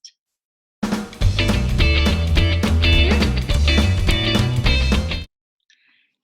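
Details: Strummed electric guitar music with a steady beat that stops abruptly, with no animal sounds.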